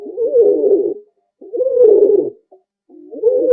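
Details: A domestic pigeon gives low, throaty coos in rolling phrases about a second long, each separated by a brief pause.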